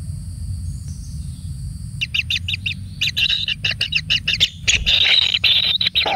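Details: A single kingfisher chick pampered with plenty of food. It begs with quick bursts of harsh, scratchy chirps that start after a quiet opening, then turn into a louder, nearly continuous buzzy rasping near the end. A low rumble of background noise runs throughout.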